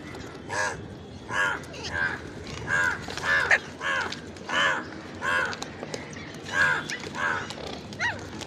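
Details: Ringneck parrot giving a long series of harsh, hoarse squawks with rich harmonics, each rising then falling, repeated roughly every second at an uneven pace, over low background hiss.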